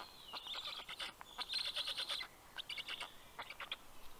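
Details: Black stork chicks at a nest in Karula National Park, southern Estonia, at 11:00 am on 11 June 2023, as the male brings fish: rapid, high, squeaky wheezing begging calls in quick bursts with brief pauses.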